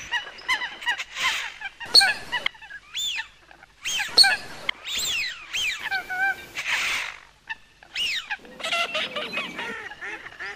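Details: Coot producing rising-and-falling nasal honks in separated bursts roughly every two seconds, with a few breathy, noisy notes between them.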